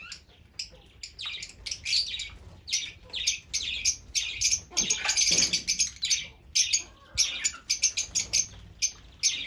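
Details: Busy, excited shrill chirping from Fischer's lovebird, with rapid piercing notes coming in quick irregular succession throughout.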